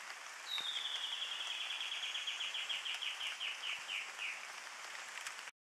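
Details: White-necked puffbird at Las Gaviotas in the Guajira lowlands, Colombia, May 2013. It gives a long series of about eighteen clear notes that slowly fall in pitch and space out, over a steady background hiss.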